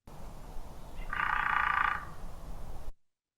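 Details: Hairy Woodpecker drumming, Kentucky: a single rapid, even roll of about a second with no clear tempo change and no trailing off, a standard woodpecker drum, over faint background hiss.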